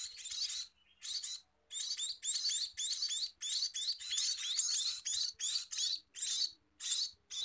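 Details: Scaly-breasted munia during feeding: loud, buzzy chirps, a few spaced notes at first, then a long insistent stretch of rasping calls, ending with separate chirps.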